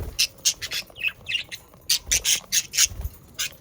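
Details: Pet budgerigars give rapid, harsh, buzzy squawks about four a second. A brief warbled, twisting phrase breaks the run partway through before the loud chatter resumes.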